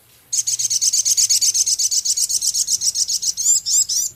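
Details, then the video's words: Singing male Javan cochoa with mimicked minivet ticking: a rapid, sustained run of high, dry, typewriter-like notes, about four per second, ending in several looser, down-curving rasping notes. "Masteran Burung Sogon Jantan gacor isian full Sepah raja ketikan crecet kasar"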